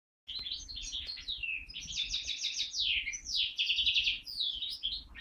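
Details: Captive-bred linnet × Waterslager canary mule, hatched in 2012 and recorded in 2013, sings a rapid, varied run of chirps, trills and sweeping whistled notes, with buzzy rattling phrases between clearer slurred notes and no pauses.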